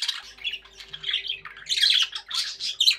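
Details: Happy budgerigars kept as pets, chattering continuously with scratchy chirps and harsh squawky notes that grow louder and busier in the second half, with a faint steady hum underneath.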